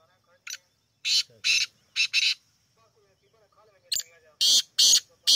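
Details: Black francolin (kala teetar) giving two loud phrases of harsh, grating, buzzy notes, each a short note followed by three or four longer rasping ones, with faint human voices murmuring between the phrases.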